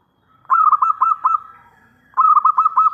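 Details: Zebra dove of a local strain, prized for its big voice and played to lure other doves into answering. It gives a pair of fast, warbling coo phrases, each of about five bubbling notes, over near-silence.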